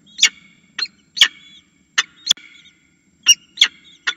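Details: Falcon at its nest calling to be fed: harsh, raspy, broadband screeches in short bursts, about eight over four seconds at irregular spacing, with faint low rumble between calls.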